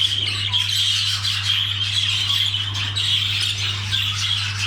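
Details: Budgerigars while mating, continuous high squeaky chatter with wavering warbled notes and harsh squawks, over a steady low hum.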